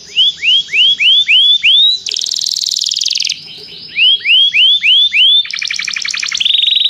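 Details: Canary singing to call another canary to sing, part of song training: rows of rising upswept whistled notes repeated about four per second, broken by dense buzzy high rolls, then a fast rattling trill and a steady whistled note.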